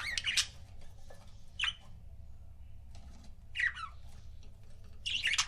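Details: Pair of pet budgies with sparse calls: a few sharp, scratchy chirps about a second apart over a low steady background hum.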